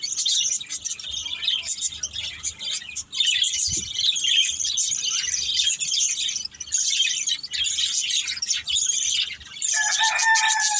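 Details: Pet budgies of one family, busy playing, keep up a high scratchy chirping chatter, and near the end a clear whistled note runs under the twittering.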